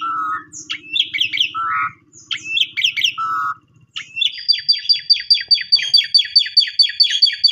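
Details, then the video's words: Asian pied starling singing in a unique pumping style to prompt silent or stressed starlings: chattering phrases and short low whistles, then a fast regular run of rising buzzy notes repeated about twice a second. "Pancingan Jalak Suren Bongkar Isian Gacor Dengan Gaya Mompa Unik"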